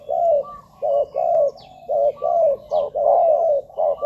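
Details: Spotted dove used as a lure for wild doves at ground, branch or decoy cage; dense low coos in quick pairs, clipped note then longer falling note, with faint high chirps overhead.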